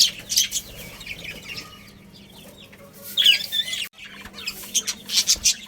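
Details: A budgie colony chirps in bursts: sharp, high twittering notes come in clusters separated by quieter gaps, over a low, steady background hum.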